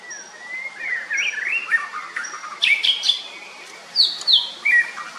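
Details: Female Siberian blue robin being fed, giving thin high chirps and short twittering notes with rising and falling slurred phrases, louder bursts near the middle and end, and a faint steady whistle-like tone repeating early on.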